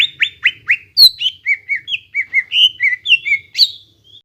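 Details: Greater green leafbird (cucak ijo) in full, lively song, used as a lure to stimulate untrained young birds to sing: a fast run of clear whistled notes, some sharply down-slurred, others level, shifting pitch, about sixteen notes in four seconds.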